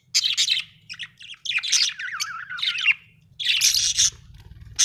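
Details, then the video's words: Happy budgerigar chirping and singing: bursts of buzzy, scratchy chatter with a wavering warbled phrase in the middle, separated by short pauses, over a faint low hum. "Happy budgie chirping sound 🥰 budgie singing sound 😍"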